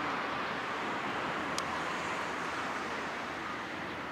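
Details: Shrine grounds on 14 March 2023: a steady hiss of traffic and wind with one brief sharp click, and no animal voice.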